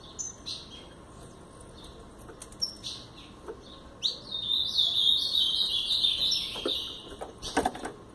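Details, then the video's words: Blue-black grosbeak in brown plumage, Paraná song style: scattered short chirps, then a loud two-and-a-half-second warbling phrase of quick slurred whistles, with clicking and knocking sounds around its end. "Azulão Paraná pardo"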